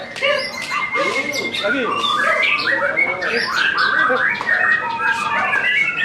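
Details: First post-moult training hang for a caged white-rumped shama: rapid varied song of arched slurred whistles, short chips and sharp upward sweeps, nonstop over six seconds with other bird notes overlapping.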